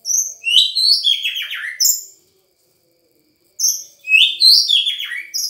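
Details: Sangir-origin white-rumped shama singing in captivity: two complex phrases of high whistles and rapid downward-sweeping buzzy notes, separated by a silent gap of about a second and a half.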